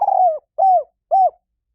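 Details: End of a spotted dove luring coo meant to draw in wild doves: a wavering drawn-out coo, followed by two clear arched hoots about half a second apart.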